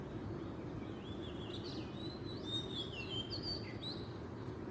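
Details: Oriental magpie-robin singing in the wild in Southeast Asia: a flowing series of whistled, wavering notes rising and falling, ending in a short downward slur, with low steady background rumble.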